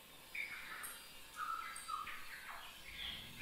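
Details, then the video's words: Young oriental magpie-robin just beginning to sing: scattered, uneven whistled notes and short squeaky slurs, some rising and some falling, set against steady background hiss and a faint high insect-like tone. "anakan burung murai yang mulai bunyi"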